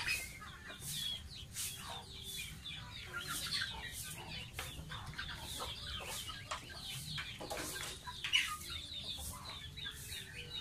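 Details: Baby domestic goose taking a bath, peeping steadily in short, high, downslurred notes while water splashes and sloshes in repeated bursts.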